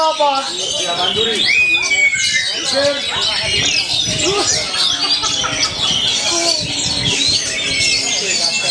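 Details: Champion Oriental magpie-robin, first-place winner at a songbird contest in Tegal, Indonesia, on Sunday 11 August 2024, sings bright whistled and chattering phrases, with sharp falling slurs over a busy background of clapping and crowd noise.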